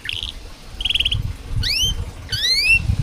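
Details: Canary singing in short bursts for training young birds: two brief buzzy trills followed by two loud, steeply rising whistled sweeps, with a low rumbling hum underneath throughout.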